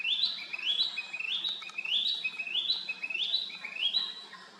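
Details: A Narcissus flycatcher repeats a bright whistled phrase that climbs in two steps, about eight times at a brisk, fairly even pace. There is a soft low hum underneath.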